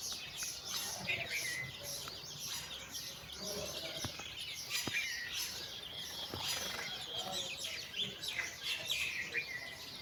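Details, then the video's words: Chickens: a mother hen calling her chicks out for a walk while the chicks play. Dense, high, thin peeping from many chicks runs through the whole stretch, with a few soft low clucks beneath and some outdoor background noise. "mother hen calling her babies chicks for walk"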